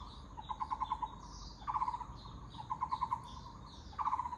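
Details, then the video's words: Taiwan barbet delivering alternating bursts of fast hollow low notes, about five pulses each, with short gaps between, accompanied by faint high chirps of other birds and background hiss. "Muller’s Barbet 五色鳥"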